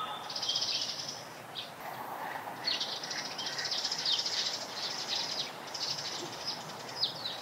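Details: Eurasian tree sparrows near a nest-material gathering place, giving an almost continuous wash of high, rapid chirps that blend together, with a brief lull early on and steady background noise.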